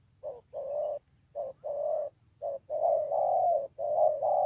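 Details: At Bờ Y, Kon Tum, on 28 November 2017, a spotted dove repeats deep short-then-long coos, the later phrases running into longer, almost continuous throaty cooing.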